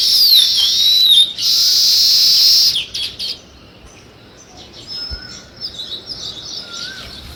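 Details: Sparrows chirping as a dense, high chattering burst for about a second and a half, then quieter scattered chirps with a few thin, level whistles in the background.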